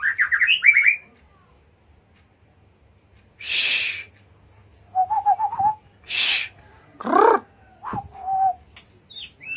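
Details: Whistled rising notes open this white-rumped shama recording from Jatiuwung, followed by harsh broadband bursts, chevron-shaped chattering notes, and short level whistles scattered among them.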